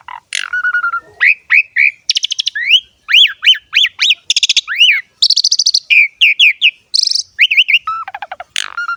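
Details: Jalak suren in full gacor ngerek song: crisp rapid phrases of arched, looping whistles, stacked rattling buzzes and short trills, delivered in quick succession with tiny gaps and a final downward whistle.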